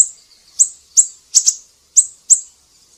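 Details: High-pitched siri-siri song, lively and chatty: short sharp chirps spaced roughly every third to half second, one quick double note midway, each note a clean bright tick with a faint trailing whistle; background otherwise quiet.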